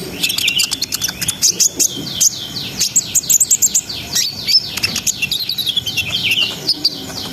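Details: Vigorous brown-throated sunbird song in 'ngriwik ngerol' style, used to raise breeding arousal in young birds; quick rattling chirps give way to repeated down-slurred high whistles and twittering, continuing steadily throughout.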